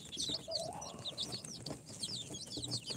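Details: Newly hatched chicks, four days out of the incubator, a mix of Sultan, Golden Sebright, Cochin and booted breeds, peeping constantly: many high, short, downward-slurred cheeps overlapping in a busy chorus, with a brief lower tone and faint knocks.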